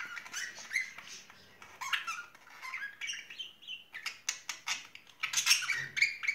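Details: A budgerigar love pair in spring fills the air with busy twittering chatter: fast, uneven squeaks and chirps, some rising and falling, with no steady rhythm.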